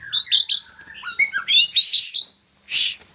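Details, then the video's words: Young Medan white-rumped shama giving bright chirps and short whistled slurs in quick sequence, with a harsh buzzy rasp near the end. "Murai batu medan lepas trotol ... Gacor juara"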